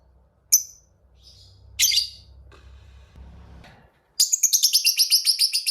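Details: Fighter lovebird, meant as a rival-provoking lure: a few isolated sharp squeaky chirps and soft rustling noises, then a rapid, shrill pulsed trill of 'ngekek' chatter bursting in for the final second and a half.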